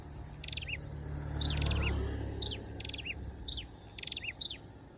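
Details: Flowerpecker lure song of quick high chips and slurred twitters repeated in regular bursts, while a low rumbling noise swells and fades in the middle.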